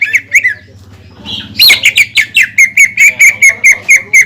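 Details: Greater green leafbird singing to trigger other leafbirds: a few scattered whistles, a faint buzzy interlude, then a burst of harsh notes leading into a steady run of ringing chips about three per second.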